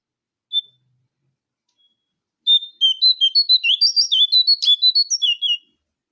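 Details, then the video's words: Brown-throated sunbird lure call used to draw other birds: one short high chirp, a pause, then a rapid run of sharp, high twittering notes that jump up and down in pitch for about three seconds. "Suara Pancingan Jongkangan Coklat"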